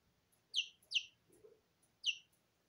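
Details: Single loud high peeps from two-week-old Porcelain and Lemon Sablepoot bantam chicks bathing in their feed indoors; three clear downslurred chirps, with a faint low rustle between them.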